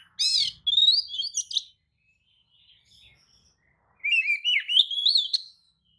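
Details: Oriental magpie-robin lure song to agitate other magpie-robins into replying; two loud bursts of rich, warbling whistled notes with buzzy edges, separated by a quiet gap of faint notes.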